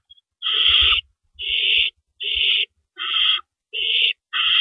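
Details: Owls at a nest in the early hours of April 4, 2012, as rabbits are brought in; six grating, breathy screech bursts roughly every three-quarters of a second, with faint shuffling knocks beneath.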